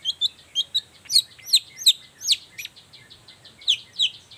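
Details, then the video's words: Long-tailed shrike singing in the morning as a lure for other shrikes to answer; a fluid string of varied whistled and slurred notes, some sweeping downward, delivered quickly with a soft twittering between louder phrases. "Suara cendet gacor Pagi Hari pancingan jitu BIKIN cendet diam langsung nyaut ikutan bunyi"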